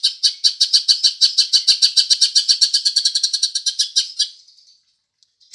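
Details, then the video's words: Green leafbird mimicking house sparrow: fast, harsh, high-pitched chirping repeated several times a second for over four seconds, then trailing off into quiet with a few faint clicks. "Cucak Ijo Isian Burung Gereja"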